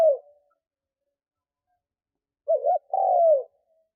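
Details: Decoy spotted dove calling to entice wild doves: the tail of one coo, a long pause, then a single complete phrase with a short wavering double note and a prolonged, gently descending coo.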